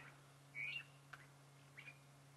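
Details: A drongo calling in the background on a cold morning safari, giving two brief, metallic, twanging notes about a second apart, with a sharp click between them, over a steady low engine-like hum.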